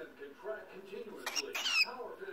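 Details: A pet cockatiel in Tauranga, New Zealand, chats with soft murmurs, then bursts into sharp, bright squawks and whistles.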